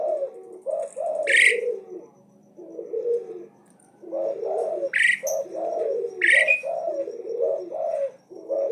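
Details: Asian pied starling singing nonstop and boldly challenging: low mellow phrases repeated throughout, broken by three loud, harsh rising shrieks at roughly two-second gaps.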